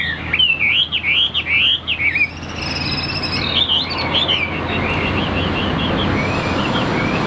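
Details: Tame caged Chinese hwamei, newly arrived, gives loud rolling whistled loops for about two seconds. The song then turns softer and fades behind a rising rumble of passing traffic.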